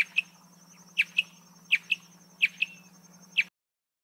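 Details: Song of the marsh antwren: four crisp two-note phrases and a final single chip, high and sharply downslurred, spaced under a second apart, accompanied by a steady low background hum.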